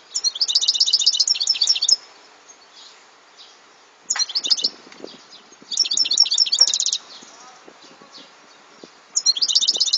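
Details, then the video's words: European goldfinch song from 2014: short bursts of fast liquid twittering and trilled high notes repeated roughly every two to three seconds, with quiet gaps and light background noise between phrases. "Chant de chardonneret"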